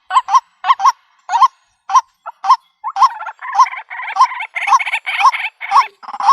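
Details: A white-breasted waterhen recording used to lure birds into a trap in the country. Paired croaking notes start spaced apart, then run together into a fast, continuous, rhythmic series of harsh calls.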